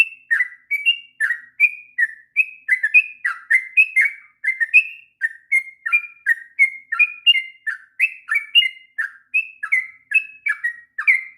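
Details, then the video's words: Sooty-headed bulbul in sustained 'ngropel' singing, a master song for young birds: dense series of crisp whistled notes, rising, flat and falling in turn, barely a break over the whole stretch. "kicauan trucuk ngropel panjang...cocok untuk masteran trucukan bahan.."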